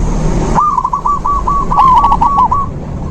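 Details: Zebra dove song played as therapy for a dove that no longer sings. One long, steady phrase of fast, soft, evenly pitched notes runs over a low, rumbling background noise.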